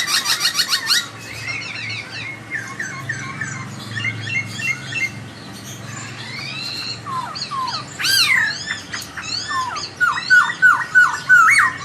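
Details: Two laughingthrushes in exchange, the melodious one prompting the other to answer: dense chatter and rasping notes, looping whistles, and a closing series of quick downward-swooping whistles.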